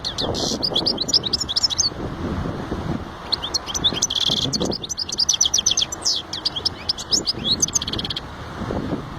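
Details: Bursts of European goldfinch song, bright high twitters and buzzy trills in two long phrases separated by a short pause, with low muffled background noise.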